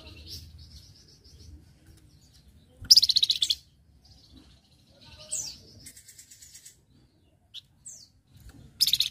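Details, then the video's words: Flamboyan recorded as a tutor song for training other cage birds. Thin whistled notes and short chirps are broken by loud bursts of high, rapidly repeated buzzy notes. Quiet gaps separate the phrases. "Flamboyan Gacor Masteran"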